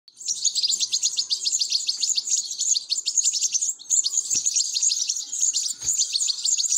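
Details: European goldfinch chicks begging while being fed: a dense, continuous chorus of very high, thin, rapid chirps, many per second, with brief soft thumps near the end.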